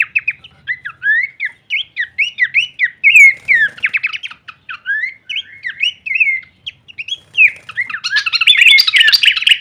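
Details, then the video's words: Horsfield's babbler song used as masteran training audio: a long chain of fast slurred whistles and quick rattles, ending in a harsh, noisy burst of scratchy sound. "masteran andalan khas burung pelanduk semak suara full variasi kleperan"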